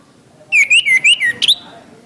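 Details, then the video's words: Orange-headed thrush song for training caged birds: five or six rapid, looping whistled notes that rise and fall in a wavering chain, followed by a short sharp double note, with quiet low noise behind. "Suara Anis kembang"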